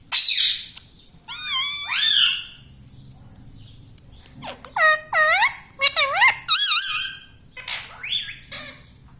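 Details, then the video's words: Home-kept talking parrot, reportedly saying mummy, papa and radhe radhe; a shrill opening burst, two drawn-out rising squeaks, a pause, then a fast cluster of short dipping speech-like syllables. "bolne vala parrot || parrot talking everything"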